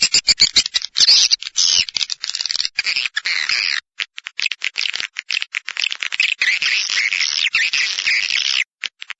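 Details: Lure recording of swiftlets used by swiftlet farmers to draw birds in: continuous shrill, chattering twitters with rapid clicking throughout, then a near-silent pause just before the end.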